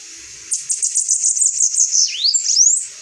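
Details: Saffron finch singing: a quick run of about a dozen bright, high chipping notes, then swooping slurred notes that dip and rise again near the end. Faint low noises in the background.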